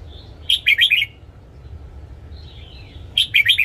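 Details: Caged red-whiskered bulbul singing its morning song, played as voice training: two bright, bubbly phrases of rapid chirped notes about two and a half seconds apart, with soft thin whistles between them.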